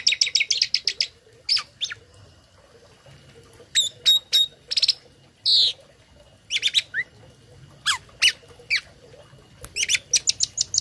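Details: Tame starling singing as a tutor for other birds: rapid chip series, sharp downslurred whistles and raspy bursts separated by short pauses, with quick chattering notes returning at the end over faint background hum.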